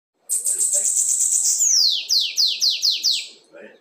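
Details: Red-ringed captive lined seedeater singing the assobio with belga song style: a high, buzzy sustained trill of rapid notes, then six sharp descending whistled downslurs about every third of a second, ending with a faint softer note.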